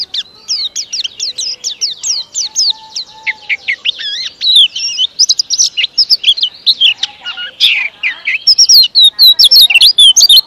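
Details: An Indonesian cage white-eye sings at length, a steady stream of high, zigzagging twitters that grows faster and louder toward the end, dense and tightly spaced.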